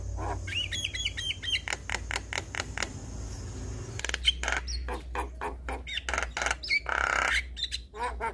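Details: Javan myna song used to prompt stressed, reluctant birds to sing: a busy mix of harsh squawks, short clicks and bright whistled notes in rapid bursts, with a pause near the middle and a steady low hum underneath.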